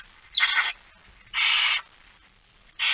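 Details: A barn owl begs at a feeding on 13 September 2019 at 06:57. Three separate breathy, screeching hisses are spaced about a second apart in otherwise quiet surroundings.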